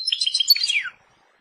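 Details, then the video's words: Brief phrase from a European goldfinch, described as Persian: quick scratchy twitters ending in a downward slurred note, lasting under a second. "Persian goldfinch songs اواز سهرهاي اروپاي"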